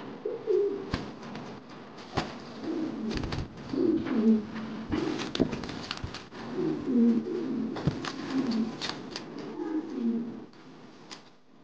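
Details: An angry male Modena king pigeon gives deep, throaty aggressive coos in bursts every second or two, with sharp knocks and clatters in between.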